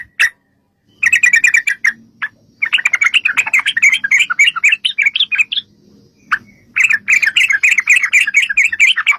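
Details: Yellow-vented bulbul in a long rapid fighting song, used as a lure to make other bulbuls sing back: dense bursts of bubbly, chattering notes in quick succession, broken by short pauses.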